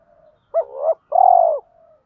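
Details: Spotted dove cooing used to draw in wild doves. A faint low lead-in gives way to a sharp throaty coo that slides up, then a long, vibrating, rolling coo, recorded close with a clean background.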